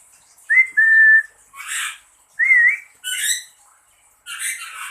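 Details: Whistle-and-reply exchange between an owner and a pet lory: two smooth human whistles each followed by a coarse, noisy squawk, with a further rasping call at the end.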